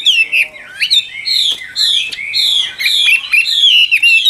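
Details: Chinese hwamei of the Tam Hoàng type, described as a methodical loud singer. It pours out bright, clear whistled notes with sweeping upward and downward slurs and short sharp chips between phrases, nearly without pause.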